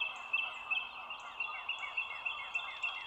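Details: Bald eagle at the Dulles Greenway nest, overhead cam, 25 March 2022 morning; regular short bursts of shrill, downslurred chitters about three per second, over steady hiss with soft high chirps from other birds.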